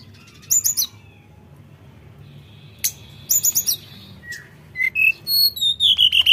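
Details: Actively singing Sooty-headed bulbul: clusters of rapid high ticking notes, then a falling whistle and a series of clear, level piping notes stepping lower, repeated quickly toward the end over a faint low hum.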